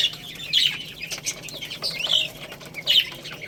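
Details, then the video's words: Baby chickens at a rice feed, with short shrill chirps in small bursts, three stronger squeaky bursts standing out, over a background of light tapping. "Beautiful Little Chicks Chirping Sounds"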